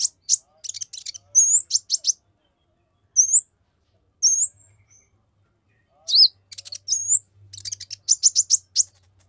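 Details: Olive-backed sunbird in rapid song to agitate rival males: rising slurred whistles mixed with buzzy chip clusters and quick bursts of sharp high notes.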